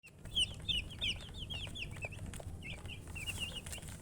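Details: Baby chicken chicks chirping: many short high peeping notes, rising and falling, overlapping in quick succession from several birds, over a steady low background hum.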